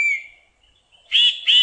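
A titmouse gives a thin, slightly falling whistle, then two harsh, raspy scolding notes in quick succession, each about a fifth of a second long.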